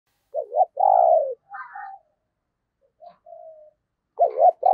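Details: Decoy spotted dove calling to lure wild doves: a short wavering double coo, then a long steady coo, followed by softer fainter notes and another double-and-long coo phrase at the end.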